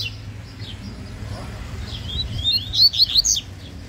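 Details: Yellow-bellied seedeater in a singing contest, soft notes at first, then a loud, rapid series of sharp, high chirps in the last second and a half.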